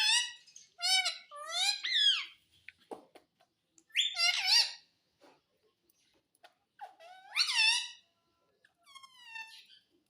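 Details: Indian ringneck parakeet talking, saying words like mummy and papa: repeated shrill, sliding speech-like syllables in groups of two or three, with pauses and soft clicks between, ending in a quieter buzzy phrase.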